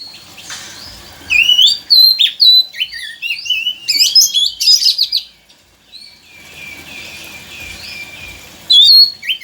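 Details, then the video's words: Oriental magpie-robin singing, used as a lure to prompt a reluctant bird into song: loud, fast sequences of clear whistles, slurred notes and chattering phrases, a pause, then softer warbling and a final sharp whistle. "pancingan kacer malas bunyi"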